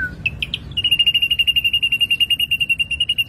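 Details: Ashy drongo singing strongly on a lure recording: a few separate whistled chips, then a rapid, very regular series of short high notes at one steady pitch, about eight per second.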